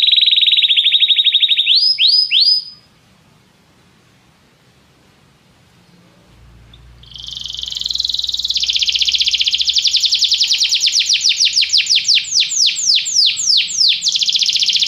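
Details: Singing canary heard in a training recording to prompt another canary to sing: a fast trill and swept notes, a pause of near silence, then a long buzzy rolling trill of repeated downward sweeps.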